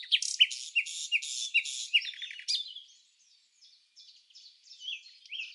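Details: Red-backed fairy-wrens interacting during the non-breeding season at Samsonvale, Australia: a very high, fast reeling trill of repeated sharp notes, followed by softer, scratchy twittering.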